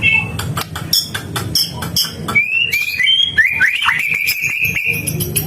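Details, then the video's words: White-rumped shama in gacor song: a burst of sharp clicks and short high notes, followed by a run of rising whistles that settle into a long, steady whistled tone. "burung Murai batu gacor"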